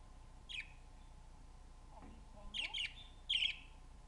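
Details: Pet budgerigar gives short, bright chirps in scattered bursts in response to another budgie's recording played on a computer, with faint murmuring voices underneath.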